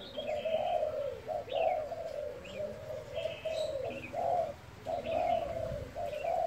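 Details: Spotted dove cooing in the gáy thúc and thúc gù styles: low, hollow coos in quick bursts about once a second, with faint higher chirps from other small birds behind.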